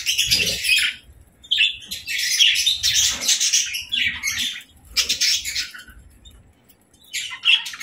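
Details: Pet budgerigars playing together in the evening, with bursts of harsh, buzzy chatter and squawks in separate spurts over about eight seconds, broken by short pauses, with soft thumps and fluttering underneath.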